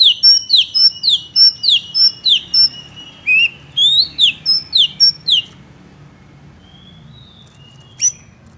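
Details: Oriental magpie-robin song used to anger and rile up other males: rapid rhythmic series of sharp falling whistled notes, about four per second, ending after five seconds, then near silence with one last chip.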